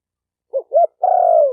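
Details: A single spotted dove phrase, used for training captive birds. Two short rising notes are followed by one sustained coo that eases downward at the end, in silence.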